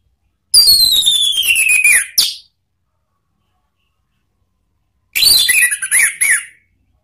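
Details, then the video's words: Orange-headed thrush song used to lure and train caged birds, in the "ngeplong" style. One long, clear whistle glides down in pitch, followed after a gap by a jumbled phrase of short, twisting chirps. "memancing ANIS MERAH BUNYI NGEPLONG ¦ PANCINGAN KICAUAN ¦ NGERIWIK"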